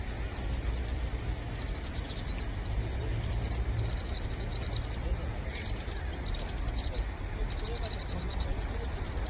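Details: Vinous-throated parrotbill (Sinosuthora webbiana), call.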